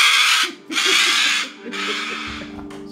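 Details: A pet rescue umbrella cockatoo, being put to bed and seeking attention before bedtime, gives three harsh, raspy bursts of chatter, each about half a second to a second long, over soft background music.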